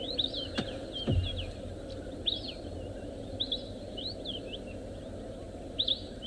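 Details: Many Sombre Greenbuls, skittish birds hidden in cover, call non-stop at sunrise on a game drive on 3 April 2024: bright, slurred whistled phrases, one answering another like an argument, over a low rumble of wind and engine.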